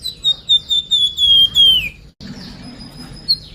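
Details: Sunda pied fantail, called flamboyan locally, lure song: quick repeated whistled notes sliding down in pitch and ending in a falling slur, followed by a quieter stretch with a single high note.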